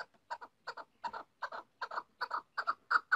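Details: Female chukar partridge calling in doubled, throaty chuk-uk syllables, repeated about three times a second and growing slightly louder toward the end.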